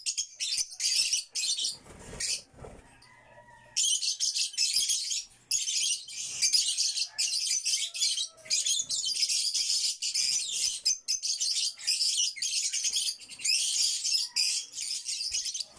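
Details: Backyard African lovebirds, a violet-bred flock, keep up steady, high, buzzy chirping in long dense bursts, with a short quieter break near the start.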